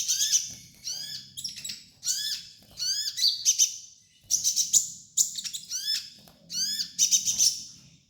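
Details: High, sharp sunbird song used as a training master: quick chirps and downward-sliding notes in lively clustered phrases, repeating with little pause over the whole stretch.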